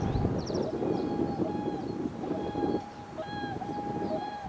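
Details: Whooper swans, a male and female, on 11 April 2020 in Finland: long, steady, horn-like tones, sustained and overtone-rich, broken by brief pauses, over a rumbling background, with short high chirps of other birds.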